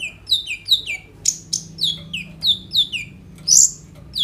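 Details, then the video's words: Sunbird (kolibri ninja) singing vigorously, played as a lure to make untrained birds sing, recorded on a phone: high, repeated downslurred whistles sliding from high to lower, with short buzzy bursts between them. "KOLIBRI NINJA GACOR FULL ISIAN ROLL TEMBAK, COCOK UNTUK PANCINGAN KONIN BAHAN BIAR BUNYI"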